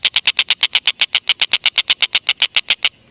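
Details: Chattering black-and-red broadbill, recorded to lure lovebirds; roughly twenty-two rapid harsh notes in even rhythm, then the series stops abruptly near the end.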